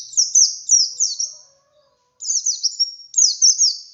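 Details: White-eye's wild 'ngalas' song with 'wit wit' variation, meant to prompt captive birds to sing: two bursts of high, rapid, downslurred twittering notes, with a faint low whistle in the pause between them.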